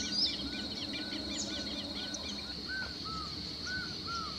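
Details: A Sayaca Tanager sings nearby a rapid run of squeaky high notes along a railway in Uberlândia, Minas Gerais; slurred arched calls from a distant Laughing Falcon repeat lower down, over a steady insect hum.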